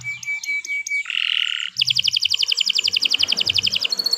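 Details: Canary song opening with short falling whistles, then a harsh buzzy note, followed by a fast, even trill of repeated bright notes.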